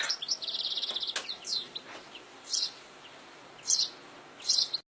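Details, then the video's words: European goldfinch in the wild, opening with a fast buzzy trill, then spaced loud bright chirps at roughly one-second intervals, high-pitched with light background hiss. "Chardonneret à la nature"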